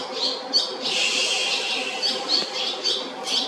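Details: Barn Swallow chicks in a nest at the JR Shinodayama station building in Japan, giving shrill, high twittering cheeps that overlap in a dense, continuous chorus with brief louder bursts.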